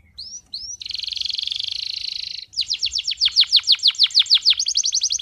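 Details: Male canary in excited song meant for teaching youngsters and rousing females: two short upslurs, then a long steady buzzy trill, followed by a rapid series of descending whistled notes repeated about three per second.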